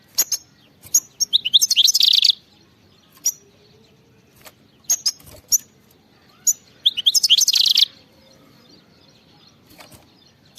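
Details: Khalawi-style song of a European goldfinch: scattered high chips alternate with two rich, rapid twittering bursts, each under two seconds, with short pauses of separate call notes between them.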